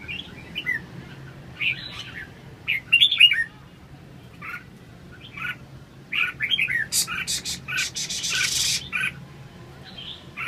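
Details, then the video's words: Red-whiskered bulbul singing in short separated bursts of chirpy, warbled notes with pauses between phrases, plus a run of sharp clicking or rattling noises near the end and steady low hum. "Kênh về chim Chào mào"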